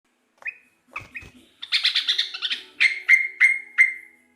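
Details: Sooty-headed bulbul, a local bird, singing in a lively way: a few short notes, then a burst of quick chattering, then four clear whistled notes, each dropping and then holding steady, spaced about a third of a second apart.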